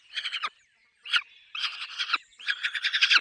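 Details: At a peregrine falcon nest with chicks, grating, rapidly pulsed calls come in short bursts of about half a second, separated by brief pauses and one thin connecting wail.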